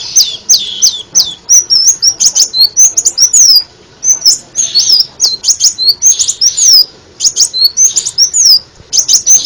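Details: Crimson sunbird song with many variations for tutoring birds: dense runs of very high, sharp, twisting chirps and ticks in fast clusters, pausing briefly between bursts, over a faint low background murmur.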